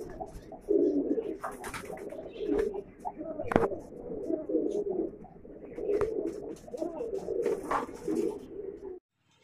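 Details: Low throaty cooing from Mukhi pigeons in a collection of red, black, yellow and silver birds, rolling phrases repeating steadily for about nine seconds amid light clicks and scuffling.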